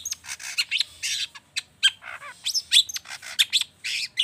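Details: Long-tailed shrike in a lively lure recording stuffed with rich mimicry, meant to get other birds singing. Scratchy chatter mixes with squeaky whistled notes and harsh bursts in an uneven, rapid flow.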